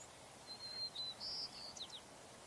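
A White-crowned Sparrow sings a slightly different song: a thin, steady whistle, then a buzzy note and quick falling chips. Faint background hiss throughout.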